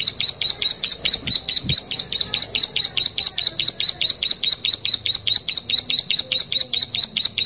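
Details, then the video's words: Plain prinia singing vigorously: a fast, steady run of sharp, high, buzzy clicking notes, a little over two per second, sustained throughout with no other clear sounds. "Prenjak Sawah Gacor"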